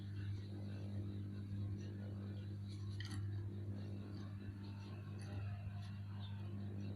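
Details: A steady low electrical hum fills the room, with a few faint clinks and no clear animal voice.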